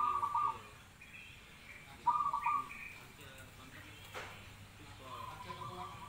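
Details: Zebra dove song: two bursts of fast, trilled coos about two seconds apart, then quieter, more distant rolling notes, with brief higher whistled tones and a sharp click in the background.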